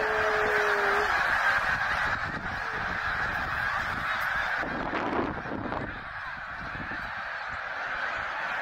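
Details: Snow geese massed at the Middle Creek stopover in Pennsylvania during 2023 migration, around eighty thousand wild birds; a thick wall of honking, with one clear upward-gliding call in the first second, fading slightly toward the end.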